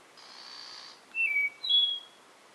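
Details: Spotted Nightingale-thrush (Catharus dryas) in Jujuy, Argentina, 12 November 2018, gives two pure, fluty whistles in quick succession, the second higher than the first, after a faint soft hiss.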